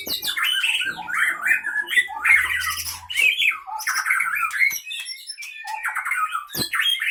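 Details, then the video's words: Caged white-rumped shama from the Pining area of Leuser, Gayo Lues, Aceh, Indonesia, caught 2012-2015, singing while fighting in the cage: dense, harsh, sharp notes with squawky bursts and rapid varied phrases, continuous and loud. "Murai batu Aceh Leuser Pining CBF ACEH Tempur di kandang"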